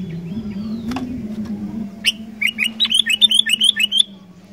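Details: Sooty-headed bulbul singing vigorously to stir wild bulbuls into song: after a single sharp note comes a quick run of about ten bright, bubbling notes, over a continuous low hum.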